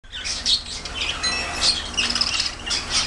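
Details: Budgerigar (Melopsittacus undulatus) chatter: a busy stream of high, scratchy warbles and chirps with brief whistled notes, running continuously without pause.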